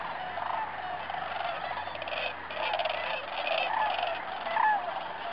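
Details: A large flock of sandhill cranes, mostly Greater with a few Lessers, at Bernardo Waterfowl Management Area, central New Mexico, on December 12, 2009, gives a dense, overlapping chorus of rolling, trumpeting rattles, swelling and fading without pause.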